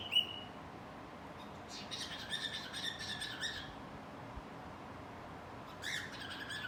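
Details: Singing pet cockatiel, tucked away out of sight, gives a short high whistle, then a run of quick chirpy notes, a pause, and another brief chirp, all over faint steady noise.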